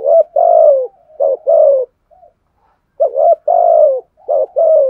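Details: Cooing of a decoy spotted dove meant to incite fighting: loud pairs of a brief note followed by a drawn-out falling coo, two bursts separated by a short pause with soft murmurs.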